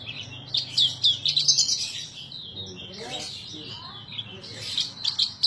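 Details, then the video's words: Caged bush lark singing in the gacor style: bursts of high, scratchy twitters and trills separated by a quieter stretch with softer, lower notes, over a low hum. "edan suara burung branjangan gacor"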